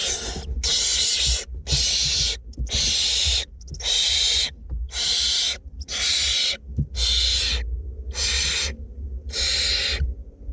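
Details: Two barn owlets being fed inside a nest box in north Glasgow keep up a steady series of harsh, breathy hissing screeches, about nine in ten seconds, each under a second with short gaps.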